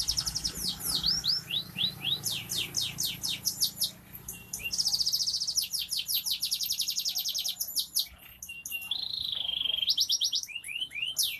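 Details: F2 canary singing energetically as crowd therapy, rapid series of high descending sweeps, dense buzzy trills and a level warbled whistle near the end, several birds possibly singing together.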